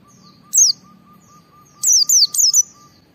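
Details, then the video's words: White-eye singing in lively ngalas style, played to prompt other white-eyes to sing: one high, sharply falling whistle, then a quick burst of four more, over a faint steady tone and low hum. "Suara Burung Pleci Gacor membuat Semua Pleci langsung ngalas"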